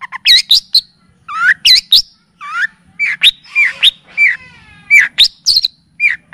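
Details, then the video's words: Long-tailed shrike (cendet or pentet) song as a tutoring and lure recording: loud, varied whistled loops and downslurs, quavering trills and sharp chips, delivered in quick irregular bursts. "Masteran dan pancingan bunyi burung cendet / pentet ‼️full kapastembak dan cililin"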